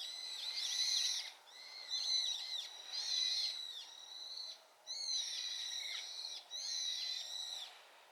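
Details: Brown-eared bulbul reacting to its flock's calling. Five loud, harsh, wavering screeches of about a second each, repeated with short pauses between them.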